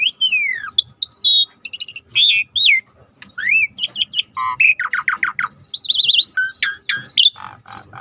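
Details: Starling used for training, recorded with river sounds: a long, varied outpouring of slurred whistles, rapid buzzy trills, squeaks and warbled phrases with hardly a pause, over a low flowing background.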